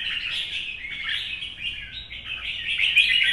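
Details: Red-whiskered bulbul, a mature bird taken from the wild and kept caged, in duelling song under morning sunshine: rapid chattering warble of quick notes, about four per second, growing slightly louder toward the end.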